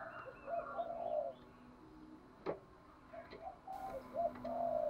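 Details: Spotted dove used as a decoy, cooing to stir up wild doves: soft, low coos in short rolling phrases, with a sharp click between them and faint hiss in the background.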